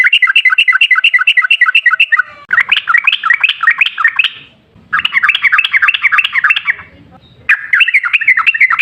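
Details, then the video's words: Wild-style 'ngalas' song of a sooty-headed bulbul, the long rapid 'ropel' type played as a lure to get other bulbuls singing: fast rattling trills of repeated bubbly notes in several runs, separated by brief pauses. "Suara trucukan gacor ropel ngalas buat pancingan trucukan agar bunyi"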